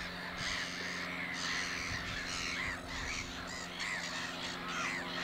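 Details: Black-headed gull colony at Hornborgasjön during nest building, one bird preening; short grating cries follow each other rapidly in a noisy, many-voiced chorus, with a low constant hum in the background.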